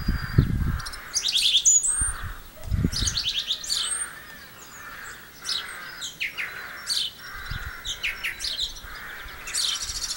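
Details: Singing song thrush, Campbeltown, April 2012, with varied bright phrases separated by short pauses, a steady lower warble in the background and occasional low thumps.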